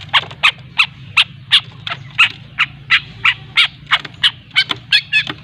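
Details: Learning long-tailed shrike from Lampung in ngriwik practice, giving harsh, scratchy notes repeated about three times a second in a steady chattering series.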